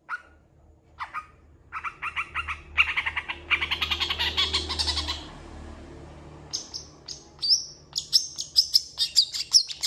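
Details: Long-tailed shrike in full song, imitating cats and chickens among other sounds. Nasal, buzzy repeated notes build up, then give way to a fast series of sharp, high ticking notes.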